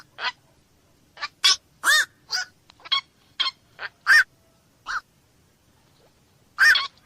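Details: Black-crowned night heron calling with loud, rasping kwok-like squawks, about a dozen single croaks spaced irregularly, with longer pauses between later calls and no other clear sounds.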